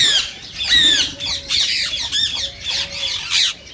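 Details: Green rose-ringed parakeets, said to stimulate other parakeets to sing and mate: harsh, high, rasping squawks with downward-sweeping notes, given in irregular bursts about once every second, several birds overlapping.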